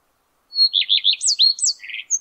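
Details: Common redstart male in May 2022, perched atop a spruce, singing a short phrase: a clear high opening note followed by rapid wavering whistled notes and a brief buzzy, scratchy ending.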